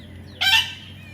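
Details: One short, harsh, buzzy squawk from a baby parrot, lasting under a second.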